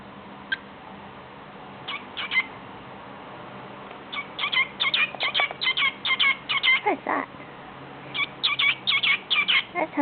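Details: A male pet cockatiel chatters in quick, squeaky bursts of mimicked speech, talking to himself and repeating "good boy."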